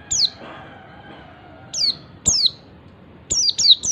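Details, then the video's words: Ngalas calling of an Oriental white-eye, meant to set other white-eyes off. Single high, descending whistles are spaced apart, then a quick trio closes the clip over a quiet background. "MASTERAN PLECI NGALAS SUARA CALL BIKIN SEGALA JENIS PLECI LAIN IKUT NGALAS."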